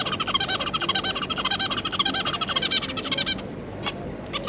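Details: Zebra finches, a pair and three juvenile young, recorded 9 June 2022, giving a steady run of quick nasal, buzzy chattering notes for about three seconds before a couple of isolated short calls.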